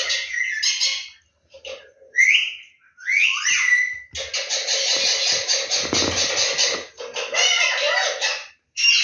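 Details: Indian ringneck parakeet kept as a pet, one of a green and a yellow ringneck, in talking mode: harsh grating bursts, short squeaky whistled notes and a long raspy chattering stretch, with pauses between.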